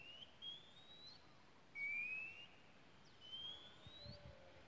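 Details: Wild Oriental magpie-robin in Malaysia giving three drawn-out, slightly rising pure whistles, each lasting about half a second to a second and spaced by short pauses, over faint background noise.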